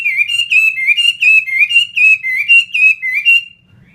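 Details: Chinese hwamei, a caged fighting bird kept for sale, loudly repeats a clear two-part whistled phrase with a steady rhythm, then falls silent.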